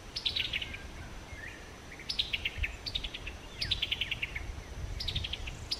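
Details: A Summer Tanager repeats its distinctive chuckling call, crisp notes tumbling downward in quick rattling runs, about six runs, with low rumbling noise underneath.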